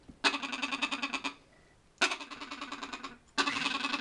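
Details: In the background of a parrot breeder's room, a green-winged macaw named Pepper laughs: three bursts of harsh, raspy, rapidly pulsed laughter, each about a second long with short pauses between; green-winged macaw.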